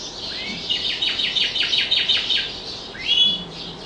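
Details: Singing canary, its song said to be shaped by tutoring in an echoing closed room: a run of about nine rapid repeated downslurred notes, followed by a rising whistle and short chirps.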